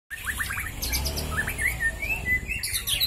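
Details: Two white-rumped shamas, one from Bahorok and one from Marike near Medan, singing against each other in a duel: loud, rapid bursts of varied whistles, sharp chips and upslurred notes with no pauses, over low rumbling background noise.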